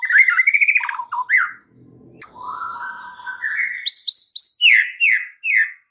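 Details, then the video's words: White-rumped shama, song played to stimulate a silent caged bird: rapid warbled trill opening, then long rising whistle, followed by a series of high clear downslurred notes repeated about three times a second. "Murai Batu FULL BONGKAR ISIAN , sangat EFEKTIF untuk PANCING Murai Batu anda yang MACET"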